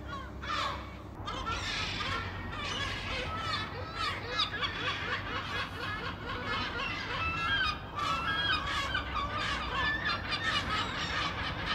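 A crowd of gulls calling over one another: harsh, nasal squeals and yelps, some rising and falling, over a steady low rumble of surf or wind.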